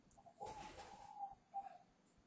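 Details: Spotted dove, a young bird whose song is just emerging, recorded at a farm in Ba Vi, Hanoi. One drawn-out coo partly masked by a rustling noise burst, then a short closing note.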